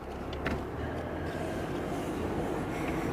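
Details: Steady low vehicle rumble with broadband engine noise and no animal calls. A few brief clicks and knocks rise above the drone, but no voice of any animal can be picked out.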